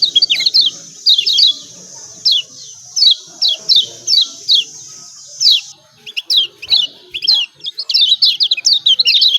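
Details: White-eye (kecial kuning Lombok) with 'ciak ciak' calls meant to trigger singing in reluctant birds: paired high downslurred chirps repeated about every half second over faint hiss, ending in a fast chattering burst.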